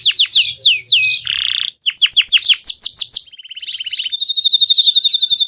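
A Belgian canary sings a fast, varied song of high whistled sweeps, rapid trills and rolling buzzy phrases, changing pattern every second or so, with no other sounds.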